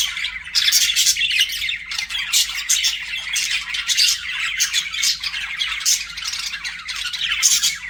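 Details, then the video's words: Several budgerigars chattering nonstop, a dense wash of high scratchy chirps and squawks with loud clicky bursts recurring every second or so. "BUDGIE SOUNDS"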